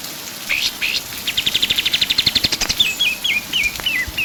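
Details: Lively pied triller song: two rising whistled notes, then a fast rattling series of sharp high chips and a string of descending, zigzag whistles repeated about twice a second.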